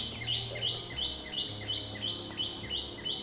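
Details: A black-rumped flameback (Dinopium benghalense) calls, giving a steady series of sharp, high, down-slurred notes, about three a second, over a low background hum.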